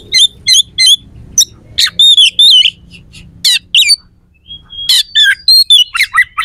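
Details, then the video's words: Oriental magpie-robin in full, loud song with rough, sharp fill phrases, played as a lure to provoke rival magpie-robins into fighting: clipped high whistles and harsh notes in quick bursts, some bursts wavering, with pauses between phrases. "PANCINGAN KACER AUTO CEPAT RESPON/KACER JADI EMOSI SIAP TARUNG"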